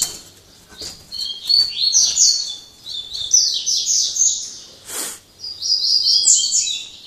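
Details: In late afternoon, after singing all day, a Double-collared seedeater gives three phrases of quick high twittering with buzzy trills, brief gaps between them, and a soft rustle or wing flap midway.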